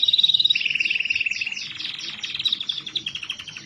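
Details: Canary song meant to coax lazy canaries into singing: a brief high whistle, then a long rapid trill that shifts into a chain of quick downward sweeps, pulsing steadily to the end.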